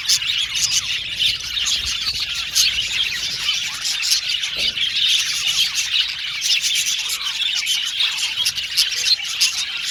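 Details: Male violet budgerigars in an aviary colony chirping together: a dense, continuous wash of bright, high chirps, twitters and warbles, with many birds calling at once and overlapping throughout.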